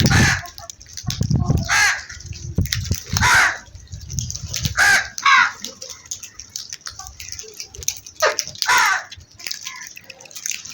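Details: Crows calling with harsh, hoarse caws, about six loud calls spaced unevenly across roughly ten seconds, with some low rumbling noise in the background.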